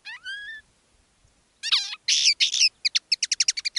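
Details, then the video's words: Caged decoy common linnet singing live, one of two birds in contrasting styles; opens with a rising whistled note, then harsh buzzy rasps, then a fast series of clipped repeated chirps, about three per second. "Canto del Pardillo"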